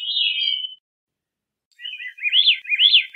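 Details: Veery: a clear whistled phrase, pause, then rolling, ringing, repeated upslurred notes spiraling in a fast sequence.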